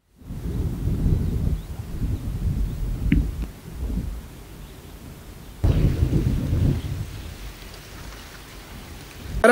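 Deep rumbling thunder rolls through steady rain, with a sharper crack near the middle and no animal voices.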